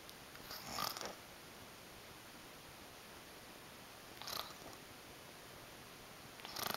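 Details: Indoors, a male African Grey parrot gives soft snoring breaths. Three airy, rasping exhales recur roughly every three seconds, with quiet room tone in between.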